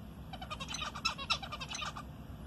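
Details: Zebra finch kept at home, responding as its owner speaks to it: a burst of quick, buzzy, nasal notes, with two louder accented chips in the middle, against a low background hum.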